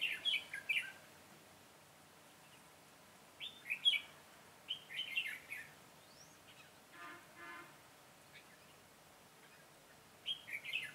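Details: Red-whiskered bulbul used as a decoy to lure wild birds into a trap, recorded 22 September 2017: bright, warbling phrases of three to five quick notes, repeated in bursts with pauses of several seconds, over quiet rural background.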